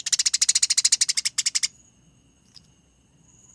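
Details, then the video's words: Eurasian tree sparrow fighting: a fast rolling burst of harsh, high, evenly repeated chirps, briefly broken then resumed, followed by a thin, steady, high whistle. "Masteran Gereja Tarung Konslet Gacor Ngerol Nyerecet Rapat Panjang Suara Jernih"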